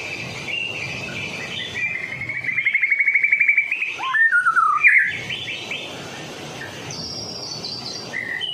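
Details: Persistent song of a Medan white-rumped shama, used to draw in other shamas: a fast rising trill, looping down-slurred whistles, then quieter warbles and a high buzzy phrase.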